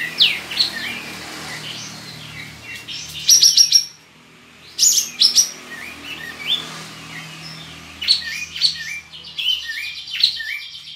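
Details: Caged kapas tembak (cream-vented bulbul) from Singkawang, West Kalimantan, in an online contest: scattered whistled slurs and several fast buzzy trill bursts over a steady low background hum.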